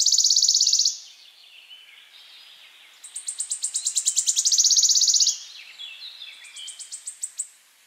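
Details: Warbler mating song: high, rapid trills and bright buzzy phrases of rapidly repeated notes, with short pauses between bursts; faint background noise.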